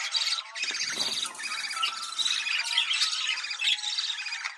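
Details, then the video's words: Budgerigar mating call used to encourage breeding: a continuous, busy warble of overlapping chirps, squeaks and buzzy notes with no break, plus a few low rustling sounds near the start. "Muhabbet Kuşu Kızıştırma Çiftleştirme Sesi"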